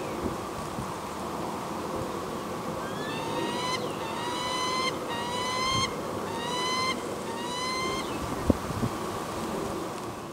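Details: An adult peregrine falcon in New Jersey gives a series of about six harsh, rising, slurred notes, roughly one per second, over a steady roar of traffic.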